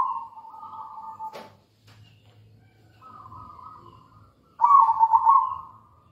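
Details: Local zebra dove cooing as a lure to stir other doves into song: a steady purring phrase broken by a sharp click, a quieter trilled stretch, then a loud, vibrating coo to finish.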